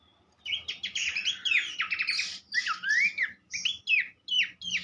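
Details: Horsfield's babbler singing a lavish tutor song for songbird training: after a quiet start, dense buzzy chatter then clear rising and falling whistles in distinct phrases with short pauses.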